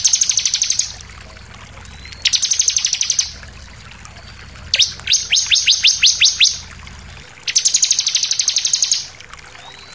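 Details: Sunda pied fantail, a ciblek, giving its intense shooting song with variations for tutoring captive birds: bursts of rapid high chattering notes about a second long, alternating with a series of sharp descending whistled strokes, separated by short pauses.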